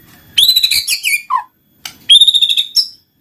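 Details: White-rumped shama song to spur silent birds: a high whistled phrase dropping to a low note, a short pause, then a sustained high whistle.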